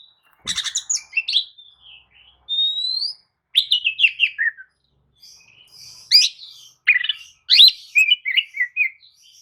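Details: Kacer, the Oriental magpie-robin, giving a lure song used to wake up listless birds and make them answer. Rich, varied phrases mixing rising whistles, scratchy chatter and quick descending twitters, almost continuous.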